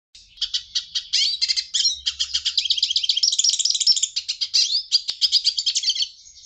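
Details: Hooded siskin singing: a fast, continuous high twittering of rapid chirps and trills, with short stuttering notes at the start building into a dense warbling stream.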